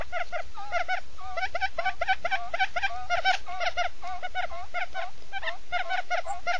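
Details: Male and female quail give rapid, overlapping nasal chattering calls, about two per second, in a busy continuous stream, used as a lure call for trapping. No other sounds stand out.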